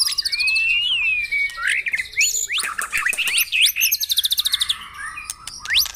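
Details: Caged-bird lure of white-rumped shama song for morning dew-airing: gliding whistles give way to steep rising sweeps and a fast rattling series of evenly spaced high notes, closing on a sharp upswept whistle.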